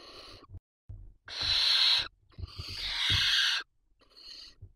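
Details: At a barn owl nest watched by a live nest camera in Ávila, a barn owl gives two long, harsh hissing screeches, each about a second long, then a fainter rasp, with soft knocks between.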